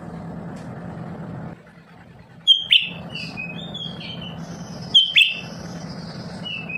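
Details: Lesser green leafbird, kept for its constant singing, gives two sharp whistled phrases with falling chips about 2.5 seconds apart, followed by thin high twittering and warbles, over a low hum.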